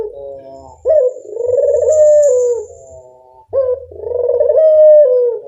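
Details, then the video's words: Local puter dove lure calling: two long smooth coos, each starting with a short sharp note, rising gently and falling at the end, with a faint high hiss in the background. "Pancingan burung puter lokal"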